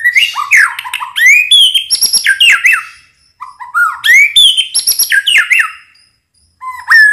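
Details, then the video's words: White-rumped shama song used as a lure and tutor for shamas that won't sing: two rich phrases of looping whistles, high sharp notes and chatters, separated by short silences. "Suara pancingan murai"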